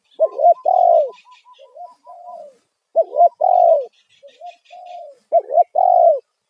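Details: Loud 'kuk satu' lure call of a spotted dove for attracting wild doves. Rich, hollow coo phrases come in quick succession, each ending in a long coo. Between them run short, even higher notes and faint high twitters.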